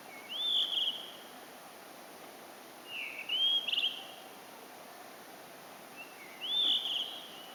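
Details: Blue-and-white flycatcher singing, heard but unseen: three clear whistled phrases, each a short slurred rise and level note, spaced about three seconds apart, over steady background hiss.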